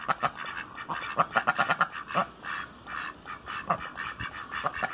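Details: A group of noisy ducks quacking in quick overlapping bursts, harsh nasal notes tumbling over each other in rapid runs with brief lulls between.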